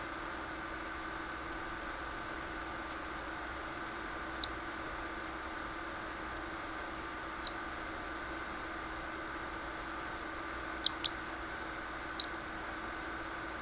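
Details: A female pet parrotlet in a good mood, wanting to snuggle, gives six brief, sharp, high chirps, spaced irregularly over a steady indoor mechanical hum.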